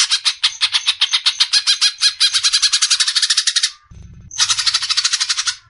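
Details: Greater green leafbird masteran song in besetan style: long, fast run of rasping, buzzy pulses, a short pause with a low thump, then another burst of the same rapid chatter.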